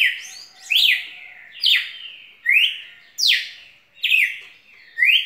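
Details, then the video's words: A red-cowled cardinal sings bright, strong whistles, six slurred phrases that leap upward and drop back, spaced evenly under a second apart, clean and unaccompanied. "Galo de campina muito canto muita fibra"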